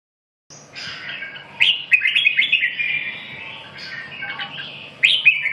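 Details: Red-whiskered bulbul singing short, bubbly warbled phrases with rising and falling slurred notes, bursts of quick chirps at about 1.6 and 5 seconds, after a brief silent start; faint low hum underneath.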